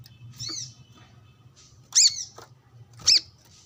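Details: Brown-throated sunbird sunbathing and calling rivals among wild birds: two loud, sharp, high arched notes about a second apart after a softer one, over a steady low hum.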